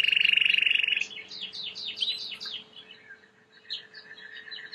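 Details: Timbrado canary, white, with clean song for training: a loud rapid rolled trill for about a second, then softer rising and falling whistled notes in a quick series, with faint background hiss.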